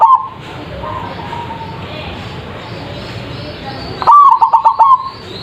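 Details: Zebra dove lure song for making birds reply: the tail of one cooing phrase, quiet hiss with faint coos, then a full loud phrase of about six rapid, evenly spaced notes at the end.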